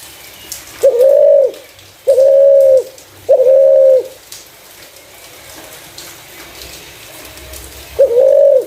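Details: Spotted dove's clear lure voice: three flat, mellow coos in quick succession, a long quiet gap, then a fourth coo; faint low rumbling underneath.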